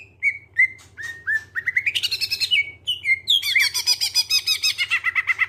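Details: Clear greater green leafbird song played to get other birds singing: slurred whistles and rising notes give way to fast, rich, rolling phrases of repeated high notes, over a faint low hum.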